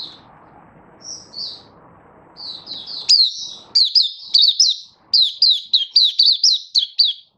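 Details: Caged oriental white-eye song display: soft high notes over a low rumbling background, then a lively run of sharp, repeated downslurred chirps about twice a second.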